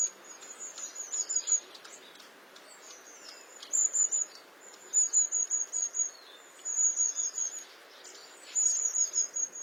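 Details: Long-tailed tit singing, giving repeated short runs of very high, thin, rapidly stuttered notes, about five bursts spaced a second or two apart, over a faint steady background hiss.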